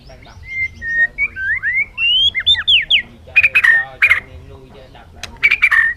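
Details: A bird sings a run of clear whistled notes sliding up and down, then switches to harsh, rasping calls repeated with short pauses.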